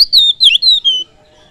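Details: Oriental magpie-robin (kacer) lure song to provoke other birds: four loud whistled notes in under a second, the second dipping and twisting, the last gliding down before silence.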